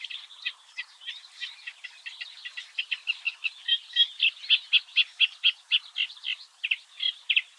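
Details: Early-morning Eurasian reed warbler at the Oostvaardersplassen in the Netherlands sings a measured series of dry, clicking chirps, about four notes per second, growing louder and more emphatic midway, with occasional whistled inserts.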